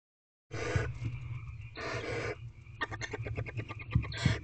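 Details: Eldest barn owl owlet in nest box, evening of 15 April 2023, 8:09 pm, claiming a rodent just delivered by its father: two long rasping broadband hisses, then a rapid run of sharp clicking snaps with low rumbling background.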